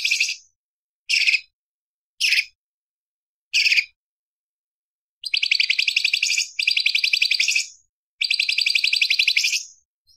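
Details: Light-vented bulbul song used as a training recording for other songbirds such as magpie-robins, leafbirds and white-eyes: four short separate high chirps, then three long rapid buzzy trills packed with sharp repeated notes, with silence between bursts.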